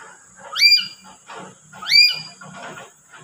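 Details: Parrot giving loud, harsh calls, each a rising then falling screech, two calls about 1.3 seconds apart, with softer chattering and low background noise between them.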